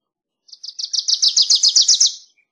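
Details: A single Wilson's warbler song phrase: about a dozen sharp high chips accelerating and swelling in loudness, delivered in under two seconds, then fading.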